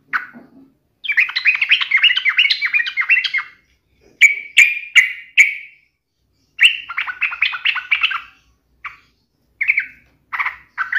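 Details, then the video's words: Lure song of a yellow-vented bulbul challenging an opponent: long chattering bursts alternating with sharp separate whistled notes, repeated in quick sequences. "trucukan gacor MELEDEK LAWAN ini sangat ahli membuat agar trucuk gacor NYAUT EMOSI"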